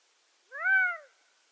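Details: Gambel's quail giving a single loud, drawn-out nasal note of about half a second that rises slightly and then falls, with rich harmonics, set against a quiet background.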